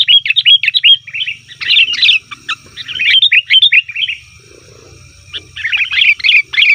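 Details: Noisy sooty-headed bulbul call, said to draw wild bulbuls: fast bubbling, chattering notes in several bursts, a quiet stretch with a soft low murmur, then renewed chatter.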